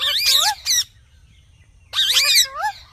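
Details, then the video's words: Two separate bursts of screechy, wavering squawks from a ringneck parrot, with about a second of near silence between them. "Talking Parrot Natural Sounds"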